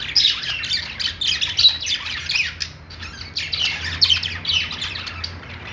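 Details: A group of pet-store budgerigars sings in rapid, overlapping chirps and squeaky whistles, busy and bright, easing briefly in the middle, with a low background drone.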